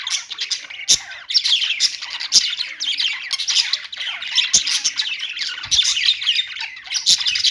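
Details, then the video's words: Continuous busy warbling of budgerigars, rapid chirps and raspy notes layered together, punctuated by occasional sharp taps. "budgies singing | budgie sounds | parakeet chirping sounds"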